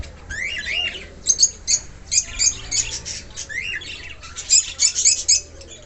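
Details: Baby cockatiels just out of the nest on their first flight give bursts of short, high, scratchy chirps and squawks in quick clusters, with brief pauses between groups and faint wingbeat-like rustling.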